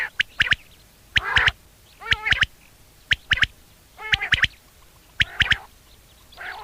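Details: Common quail in a summer meadow at sunset giving its mating call: sharp, clipped three-note phrases, repeated about once a second in a steady series over a quiet background.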